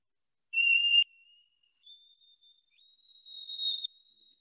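A White-throated Sparrow sings clear, pure whistles: one steady note, then a long higher note that wavers slightly near its end. No other sounds are heard.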